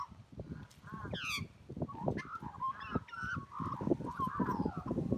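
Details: Australian magpie's melodious call, opening with harsh, rich descending notes and then flowing into rapid warbled whistles, accompanied by a continuous low rumbling background.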